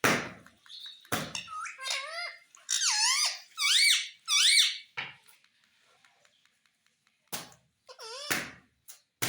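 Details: Indoor pet parrot talking, said to repeat mummy and papa: clusters of squeaky, wavering syllables, some repeated in pairs, broken by sharp knocks and clicks and a quiet gap midway.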